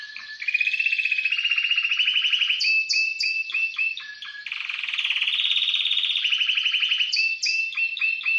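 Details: Timbrado canary in full song, loud and continuous. Long rolling water-like trills alternate with quick choppy notes and brief downward sweeps, repeated in a pattern over about eight seconds.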